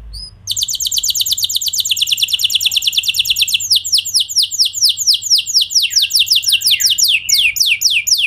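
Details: Canary song meant to prompt other canaries to join in; a long, tight trill of quick falling notes that slows into broader separated sweeps, with a few lower slurred notes mixed in late.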